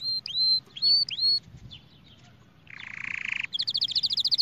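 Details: Canary song used for training young birds and stirring males: clear downslurred whistles repeated twice, a buzzy harsh middle phrase, then a fast, even, high-pitched trill of rapid repeated notes over a low background hum.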